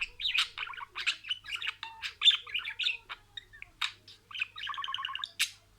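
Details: Pet budgerigar mimicking words in a row: busy warbling of chirps and buzzy syllables, with a rapid rattling sequence of short repeated notes toward the end.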